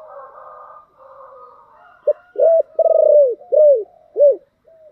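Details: Spotted dove, 'thổ đặc' voiced call used to prompt decoy doves to answer. Soft murmuring noise comes first. After two seconds a loud phrase starts: a clipped note, a flat coo, a stuttered coo and two arched descending coos.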